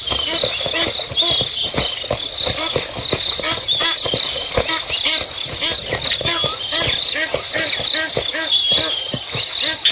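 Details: Egyptian geese calling during a fight at Nkorho on 24 September 2022 around 5:30 in the morning; dense runs of harsh, harmonic honks overlap throughout, over a steady high insect drone and scattered clicks.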